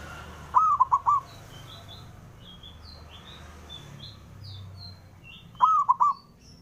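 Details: A male zebra dove calls out to challenge rivals: two rolling, hollow three-to-four-note phrases about five seconds apart, while small birds chirp and twitter in the background.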